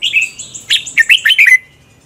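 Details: Red-whiskered bulbul morning fighting song for bird training: a soft rolling run of high whistles leads into six quick, loud, downslurred warbling notes, ending abruptly.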